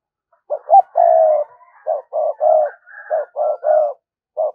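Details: Spotted dove used as a lure bird, giving a proper thúc gù cooing sequence to draw in wild doves: a rapid run of low, hollow coos in clustered phrases, some notes long and drawn out, with soft higher overtones.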